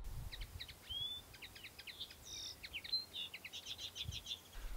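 Common Linnet singing a rapid, twittering strophe of varied notes mixed with short nasal chips and a few clear whistles; faint low background rumble.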